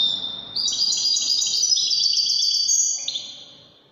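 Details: Wydani-style European goldfinch singing a rich, fast twittering phrase of tinkling, liquid notes and buzzy trills, bright and continuous for about two and a half seconds, then a final lower note trailing off.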